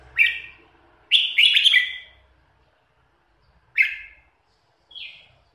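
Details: Pied, white-beaked red-whiskered bulbul, a competition bird about four years old with a loud, forceful voice, gives short bright chirpy phrases: one note, a quick three-part burst, a pause, then two more separate notes.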